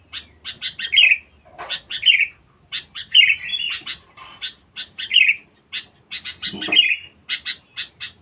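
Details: Sooty-headed bulbul, kept as a highly vocal, aggressive lure bird, chatters almost continuously with rapid staccato notes and repeated bubbly warbled phrases, plus a faint rustle midway.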